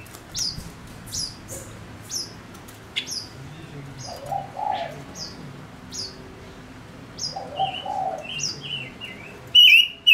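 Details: Male decoy bird sings spaced high falling whistles, with a dove cooing low twice, ending in a sharp loud wavering phrase.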